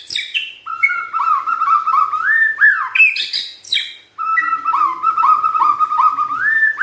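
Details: White-rumped shama song used as a lure to get other shamas singing: rich, fluting whistled phrases around mid pitch, with rolling slurred notes rising at phrase ends, a short break near four seconds, then the phrases resume.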